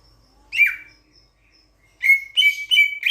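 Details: Sulawesi myna from Sulawesi, a starling with a loud voice. One harsh, downslurred note is followed by a pause, then three or four loud, buzzy, ringing notes in quick succession.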